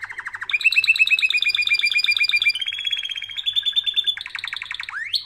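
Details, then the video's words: Canary song used for training birds, a nonstop chain of rapid trill tours, each at a slightly different pitch, delivered loudly and evenly and ending with a sharp upward sweep. "Canary Singing Video | The Best Canary Training sound"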